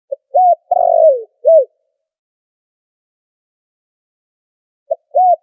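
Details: Lure call of a spotted dove for trapping, noise removed: brief lead note, rounded coo, long falling tremulous coo, short final coo, then silence until the next phrase begins near the end.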